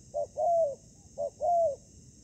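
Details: Spotted dove heard in ground trapping as the decoy meets wild fighting doves. Two matching phrases, each a short hoot and then a long mellow coo that droops at the end, are given about a second apart.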